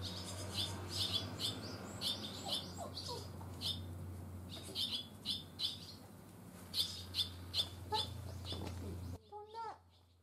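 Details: Barn swallow fledglings on their first day out of the nest, after leaving it early in the morning and flying far: bright, short high chirps repeated rapidly in bursts over a steady low hum, ending with a different lower, descending call.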